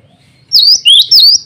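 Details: Close, loud song of a male cinereous tit calling rivals and a female: three strong, clear whistled notes, the middle one lower and rising, each lasting about a quarter second.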